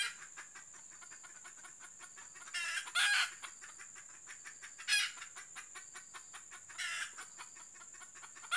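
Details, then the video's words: A female red junglefowl used as a decoy for trapping gives four short, harsh clucking bursts a second or two apart, over a steady high insect whine and faint ticking. "Ayam Hutan Pikat Betina"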